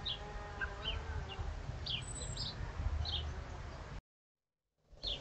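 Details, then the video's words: Common chiffchaff singing near a bird table on 5 October 2022, alongside great tits: short, high notes, about two per second at a slightly uneven pace, over a steady low rumble; sound briefly cuts out near the end. "you can hear a Chiff Chaff singing"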